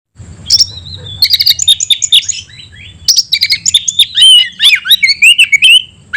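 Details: Caged oriental magpie-robin of the 'tayoraky' style, a newly bred variant, singing a loud, varied run of whistled notes and sharp chips, phrases bursting out then pausing briefly before a second, denser rich sequence of rising and falling whistles.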